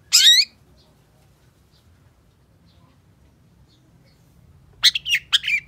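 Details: Long-tailed shrike (Lanius schach) song, used as a lure to make other shrikes sing: a loud harsh squawk, then after a long pause a rapid burst of high, scratchy, chattering notes.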